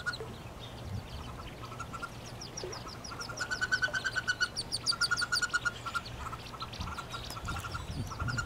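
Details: Inside a nest box in spring 2013, nineteen wood duck ducklings and one hooded merganser duckling call. Clear rapid peeps run in rhythmic strings, loudest midway, with several chicks overlapping and faint low shuffling.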